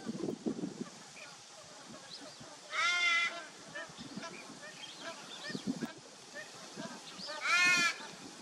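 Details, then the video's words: Torresian crow on 8 December 2023: two harsh, nasal, drawn-out caws about five seconds apart, over a murmur of softer background bird chatter. "Torresian Crow"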